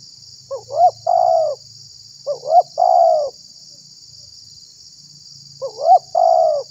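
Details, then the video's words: Spotted dove coo used to lure and provoke wild doves: three separate phrases, each two quick wavering notes and a sustained falling coo, spaced a few seconds apart over a faint continuous high hiss. "SUARA BURUNG TEKUKUR UNTUK PIKAT DAN PANCINGAN"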